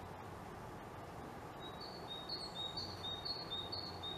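Great tit singing a high, bright two-note whistle, repeated about twice a second, over a steady low background rumble.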